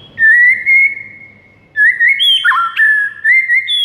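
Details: White-rumped shama singing in the morning as training material for birds: long sustained fluty whistles, a short break, then a lively series of warbled notes with a sharp downward slide.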